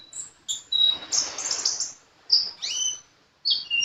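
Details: Sunbird singing actively: thin, very high chirps and short whistled slurs, some sliding down and others rising, in bursts separated by brief pauses, with a faint hiss underneath.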